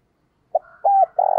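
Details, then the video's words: Decoy spotted dove calling to attract wild birds: a brief coo, a pause, then a longer two-part coo and a final sustained coo, all low and mellow. "Chim Cu Mồi Thúc Và Gáy Gọi Bổi Mới Nhất, Mở Lên Bổi và mồi nghe gáy liền"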